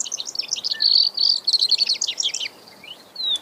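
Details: Brewer's sparrow, given as a hunting bird call: rapid high chips give way to fast buzzing trills at changing speeds, followed by a pause and a thin descending whistle.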